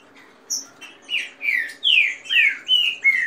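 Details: Captive Green-winged saltator delivering fast warm-up song mixed with female calls and rain song: a steady run of loud, downward-slurred whistles, about two per second, after a thin high opening note.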